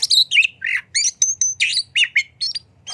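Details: Oriental magpie-robin singing hard with tail spread, a lure to make other magpie-robins answer: a dense stream of harsh chattering notes mixed with clear whistles, over a steady low hum.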